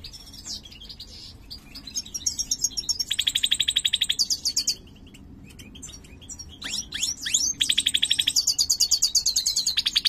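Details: Singing mutated goldfinch, the larger 'mayor' type, whose song is described as poor: bursts of rapid, even, buzzy trills alternate with sharp descending chirps and a brief pause, then a loud rattling trill resumes. Faint low hum underneath.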